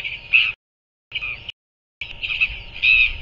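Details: Royal albatross chick fed by its parent at a nest site in New Zealand, recorded by a nest cam in the late afternoon of 7 February 2024; three bursts of raspy, squealing calls separated by silences, steady hiss behind.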